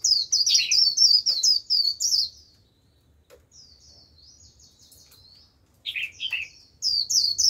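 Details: Lure Japanese white-eye calling in wild birds with líu song: quick, very high tumbling twitters, a softer thin warbled stretch, then short lower slurred notes and renewed chirping.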